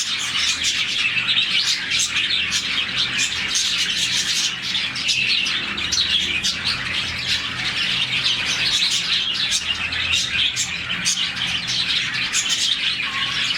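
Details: Morning chatter from a colony of about 40 budgies, chirping as they do when happy. Continuous high, scratchy twitters and sharp chirps overlap, with short squawky bursts among them.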